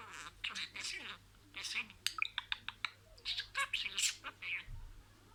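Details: Talking budgerigar in a small room producing word-like, raspy mumbling phrases interspersed with sharp clicks and chirps, in uneven bursts with short gaps between them.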